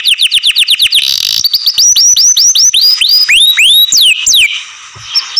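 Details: Loud song of a kept canary: a fast trill of repeated downward-swept whistles, then slower, bell-like rising-and-falling notes repeated about three times a second, ending in sweeping slurs.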